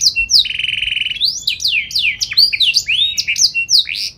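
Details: Canary in full song with sharp, striking notes meant to set other canaries singing: a short trill, a steady buzzy roll, then a tumbling run of quick swooping whistles.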